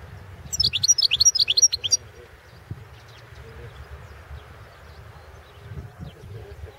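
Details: European goldfinch in a 2016 world championship song competition: a short burst of quick high twittered notes lasting about a second and a half, followed by quiet background murmur.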